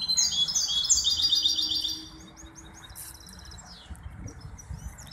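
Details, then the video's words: Hybrid goldfinch singing at a competition of the Ain Chock bird association, Casablanca, on 23 May 2021: a fast run of bright, high, repeated twittering notes for two seconds, then faint scattered chirps over low background hum. "مباراة تغريد هجين الحسون"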